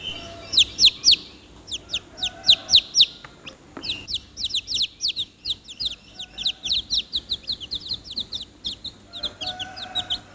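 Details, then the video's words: Chicken chicks calling busily, a dense, fast stream of shrill peeps, each a sharp falling whistle, tumbling over one another at roughly four notes a second with a brief pause and a single knock midway. "The sound of the chicks is funny, closer"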